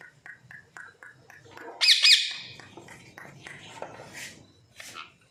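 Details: Pet parrot kept at home for two years; a run of short sharp chirped notes, then a loud harsh squawk burst, followed by scattered shorter squawks and clicks.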